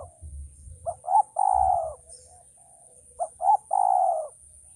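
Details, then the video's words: Male spotted dove cooing twice: each phrase two brief rising notes then a long, husky, slightly falling coo, about two seconds apart, with low background thumps. "suara burung tekukur ajaran"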